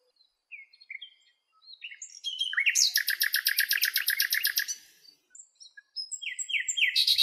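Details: Common nightingale (Luscinia megarhynchos) singing in its natural habitat in Greece among lilacs: soft, rising whistled notes, then a loud, rapid, rattling trill of about a dozen notes before more varied phrases.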